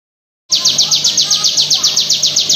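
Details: Bar-winged prinia of the crystal type singing a dense, nonstop 'bren' rattle, lightly processed with simple effects: high, evenly spaced buzzy notes repeated about seven times a second, steady and loud throughout after a short silence.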